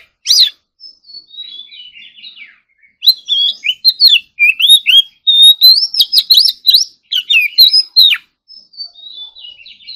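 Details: Oriental magpie-robin in morning singing practice: a sharp note, then soft quiet warbling, building into a loud, fast sequence of varied whistled phrases and trills that ends in softer twittering.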